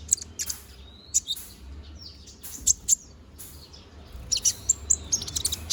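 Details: Konin bird, balding and regrowing its feathers, singing vigorously: thin high chirps and short twittering notes in scattered bursts, a brief rising whistle near the start, with a livelier string of sharp chirps toward the end over low background hum.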